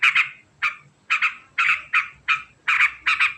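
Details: Sooty-headed bulbul cackling in ngekek style, with gritty paired and single notes about every third of a second, steady and fast.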